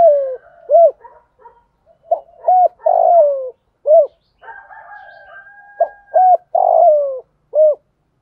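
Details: Spotted dove calling to draw in other doves, giving a steady run of short, soft, hollow coos with longer descending notes at intervals. A faint, thin, drawn-out tone sounds in the middle.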